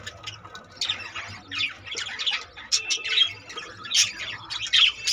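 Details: Budgerigars in a colony with 25 recently born babies; bright chirps and short warbled squawks about once a second over a soft background murmur of other birds.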